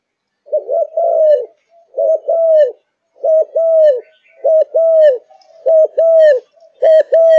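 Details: Malaysian zebra dove in full fired-up singing form, singing morning to night, gives soft, rolling coos in quick groups of two or three, repeated about once a second, with faint chirps in the background.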